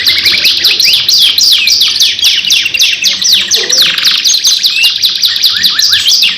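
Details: Lure song of a canary: rapid high warbling made of repeated swooping notes in a steady stream, with a short lower burst midway.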